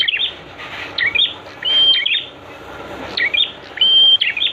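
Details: Prinia song used to train caged prenjak: chattering chirps around two long, flat, high whistles, each trailing off into quick twittering notes.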